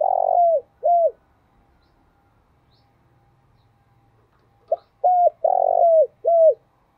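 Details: A spotted dove coos in the morning in the 'tho dac' deep voice. The end of one phrase is followed by a pause of about three seconds, then a full phrase: a short note, a flat coo, a rough descending coo and a falling final coo.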